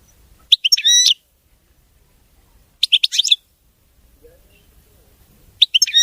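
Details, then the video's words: European goldfinch, king of the songbirds, giving short phrases of bright twittering with buzzy overtones and a high slurred whistle, three bursts separated by pauses of over a second of silence. "تغريد ملك الطيور المغردة الحسون (المقنين) نظيف وخالي من الأخطاء"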